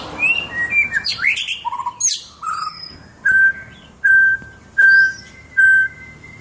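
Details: White-rumped shama (murai batu) singing vigorously: a jumble of rich, varied whistles and rising and falling slurs, then four long, clear, level whistles at the same mid pitch, spaced under a second apart.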